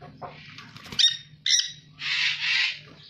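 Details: A captive dusky-headed conure in Indonesia, where the species is very rare, gives harsh, raspy squawks in short bursts, ending in a longer grating screech, over a low steady hum.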